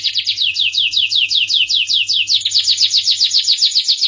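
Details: Canary of the Starblue variety singing a sweet song: a fast, steady train of rapid trilled notes high in pitch, repeated about two or three times a second, shifting to a denser rolling trill halfway through; faint low hum underneath.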